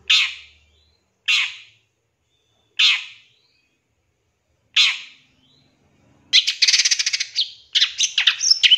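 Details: Long-tailed shrike lure recording in the 'tembakan' filling style: four separated harsh rasping notes, then a dense burst of fast chattering, scratchy notes at the end.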